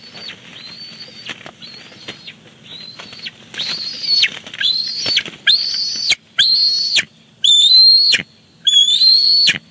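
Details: Bald eagles at a nest at Big Bear Lake on 18 July 2019, as the father flies in with a fish for the chick's dinner: faint whistled calls, then louder drawn-out high calls, about one per second.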